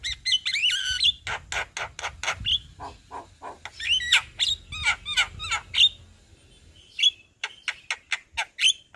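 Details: Javan myna, singing in daytime in front of a house, full repertoire: squeaky whistled phrases, rows of sharp clicks and buzzy notes, with short upslurred whistles near the end.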